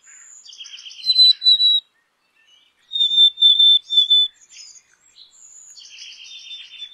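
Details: Black-capped chickadee giving a run of buzzy, rasping notes, then three or four clear high whistled notes at one steady pitch, followed by more buzzy notes after a short pause. The background is quiet.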